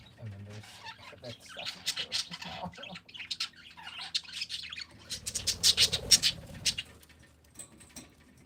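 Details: Parakeets giving a busy mix of high chirps and short squawks, building into a dense rapid flurry of sharp notes before tapering off, over soft low background murmuring.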